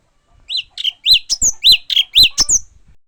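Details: Japanese white-eye giving a lively run of bright, high chirps and short downslurred whistles, about eight notes in quick succession, with clean, quiet surroundings.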